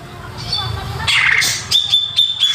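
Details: Greater green leafbird singing as a lure for young birds: a soft, busy warble followed by a row of short, level, high whistled notes repeated about every quarter second.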